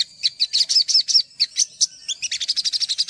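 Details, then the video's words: Olive-backed sunbird, a master recording to coax untrained sunbirds into singing: high chirps with little upward flicks, evenly spaced, ending in a fast, tight chattering trill. "MASTERAN SOGOK ONTONG UNTUK PANCINGAN SOGOK ONTONG BAHAN"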